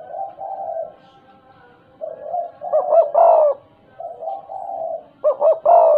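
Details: Tame spotted dove (tekukur), calling freely in stuttering 'gagap' style, alternating soft low drawn coos with louder clipped, hoarse stammered notes that dip in pitch, two phrases in succession.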